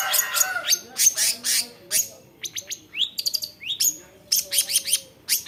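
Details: Cendet or long-tailed shrike, a skilled imitator of other species, pouring out a jumbled medley of rising whistles, sharp squeaks and fast ticking notes with hardly a pause.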